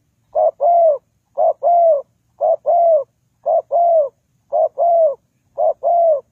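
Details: Spotted dove used as a lure for bird trapping: a steady series of paired coos, a short note followed by a longer, slightly falling one, repeated about once a second; quiet surroundings.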